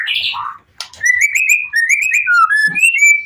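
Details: White-rumped shama singing emotionally to goad other shamas into answering: a blurred harsh opening, then a smooth chain of short whistled notes wavering between steady pitches.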